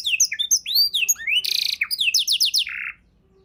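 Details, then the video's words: Canary singing a varied tutor song for songbirds: high whistled slurs, a loud buzzy burst, a quick run of repeated descending notes and a short buzz, ending in near silence. "kenari isian mewah‼️sangat cocok untuk masteran burung abda‼️❗"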